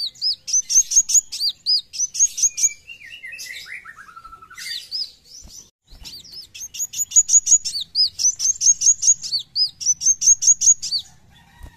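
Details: Brown-throated sunbird singing nonstop besetan-style gacor song, locally called kowul: fast strings of piercing high notes and hooked slurs, a brief lower descending twitter midway, then a long energetic run of repeated sharp phrases.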